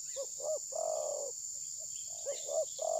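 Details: Decoy spotted dove in a bird-trapping setting, captured on a phone. Two short coos and a long sustained coo, then a second phrase beginning, against a steady high hiss.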